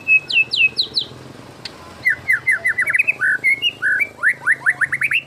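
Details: White-rumped shama lure recording: a few sweeping downslurred whistles, then a quick varied series of short rising and falling notes, some hooked, delivered in rapid succession.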